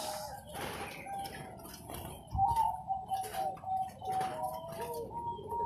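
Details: Competition zebra dove from Sidoarjo, East Java, singing a series of short, steady cooing notes that quicken into a rolling, trilled phrase, with faint room noise behind.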